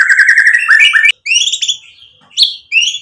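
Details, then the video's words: White-rumped shama song used to stir other shamas into singing: a rapid rattling run of notes, then sweeping bright whistles rising and falling, separated by short gaps. "MURAI BATU GACOR memancing EMOSI jadi NYAUT BUNYI BONGKAR MATERI ISIAN | PANCINGAN MURAI"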